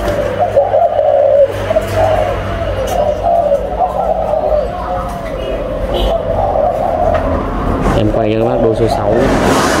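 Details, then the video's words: Spotted doves from a captive breeding pair give soft, low coos for several seconds. Then come louder rustling and scraping noises and brief human sounds. "MỜI CÁC CỤ THẨM ÂM ĐÔI CHIM CU BỐ MẸ SỐ 11 VÀ 04"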